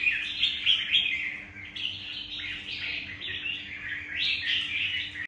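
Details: Vietnamese wild-caught red-whiskered bulbul, caged, delivering a continuous stream of quick, sweet chirps and warbles that swell and fade, with a faint steady hum beneath.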